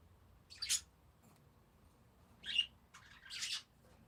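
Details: Parakeets giving a few scattered high chirps and squeaky calls, separated by pauses of a second or more, against a quiet background.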